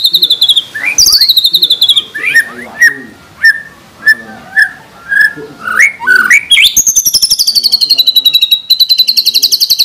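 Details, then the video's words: White-rumped shama song from a tutor recording for caged birds, full of 'tembakan' fills: clear whistled notes and falling slurs, sharp isolated chips, then a long rapid rattle of high notes sliding slowly downward. "Pancingan Masteran MP3 Murai Batu Gacor Full Isian Tembakan Mewah"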